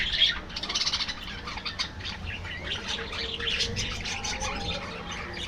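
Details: Caged budgies produce quick chirps and a short run of rhythmic squawks at the start, then settle into steady overlapping warbling chatter.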